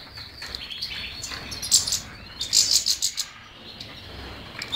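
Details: European goldfinch song: thin high twitters with several sharp bursts of clustered chirps in the middle, over a quiet low background hum.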